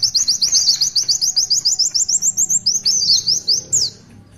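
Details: High, thin Oriental white-eye song in the long 'tulitwitwit' style: a quick, even series of about twenty chirped notes, closing with a couple of sharp descending slurs.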